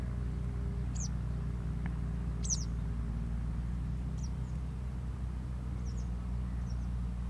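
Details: Eastern yellow wagtail in Malaysian paddyfields on 2 January 2022, giving thin, high, sharp calls singly every second or two over a steady low rumble of engine or wind noise.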